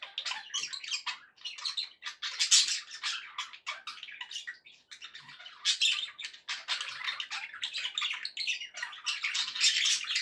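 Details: Several pet budgerigars sounding happy, keeping up dense overlapping chatter of raspy warbles, clicks and squeaky chirps with hardly a break.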